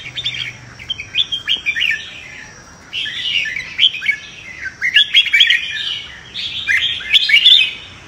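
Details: Red-whiskered bulbul giving fighting (contest) song, bursts of bright, bubbly warbled phrases roughly one every two seconds, with a faint steady hum behind.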